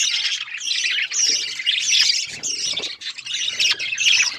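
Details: Budgies keep up a constant busy warbling, overlapping raspy chirps and squeaks with hardly a pause.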